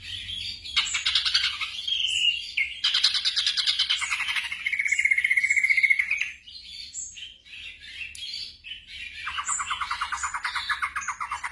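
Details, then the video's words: A varied black drongo song, used to train caged birds at night, mixes chatters, buzzy trills and a thin steady note, and ends with a lower, repeated pulsing trill. "TERAPI SRIGUNTING MALAM HARI"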